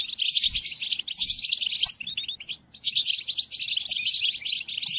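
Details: Training recording of European goldfinch song for captive birds: dense, sparkling high-pitched twitter bursts, with a clear pause before a final lively run.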